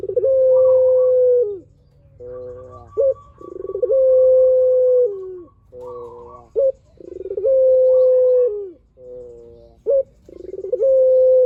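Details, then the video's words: Spotted dove (puter) singing vigorously with a long-drawn voice, kept as a lure to prompt other doves to answer: a low stuttering burst of pulsed coos, then a long steady hollow coo, the phrase repeating about every four seconds. "PUTER GACOR SUARA PANJANG | PANCINGAN BURUNG PUTER"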